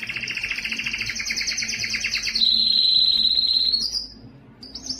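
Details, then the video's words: Canary song to encourage males to sing: a fast double-layered trill for over two seconds, then a smooth high sustained roll gently rising, fading into brief high notes. "صوت كناري مميز لتحفيز الذكر على التغريد"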